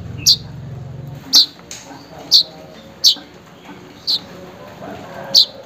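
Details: Weaver calling a rival or mate, used as a lure for a weaver that has stopped singing: six short, sharp, high chips at uneven intervals of about one second, over a low steady hum.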